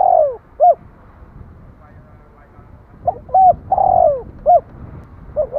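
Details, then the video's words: Spotted dove coos: drawn-out falling notes mixed with short upward-curving hoots, uneven spacing, some phrases overlapping. Low murmuring background, possibly voices. "Tiếng chim cu gáy"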